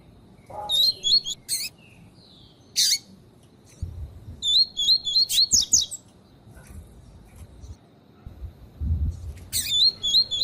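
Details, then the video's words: Female lined seedeater (coleiro tui tui) calls to warm up a male for song training. Quick high squeaky notes come in short runs of three to four, spaced by gaps, with clicks and low background rumble. "PIADO DE FÊMEA DE COLEIRO PARA ESQUENTAR PAPACAPIM"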